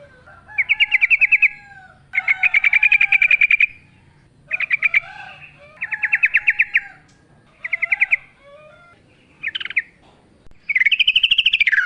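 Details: Yellow-vented bulbul singing a wild-style lure song in repeated bursts of fast chattering trills about a second long, separated by short pauses, ending with a rising, slurred warble.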